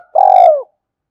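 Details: Single long spotted dove coo from a lure ('kích bổi') recording: a rich, buzzy, pulsing note about half a second long that bends downward at the end, then silence.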